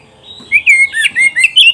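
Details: Oriental magpie-robin (kacer) song used as a master recording for training pet birds: a loud burst of six rich whistled phrases, sliding and warbling, with quick rising and falling notes in rapid sequence.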